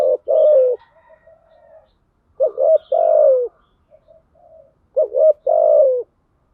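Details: Female spotted dove lure call for attracting males: three phrases about every two and a half seconds, each a stuttered start and a long falling coo, with soft quiet murmurs in the gaps.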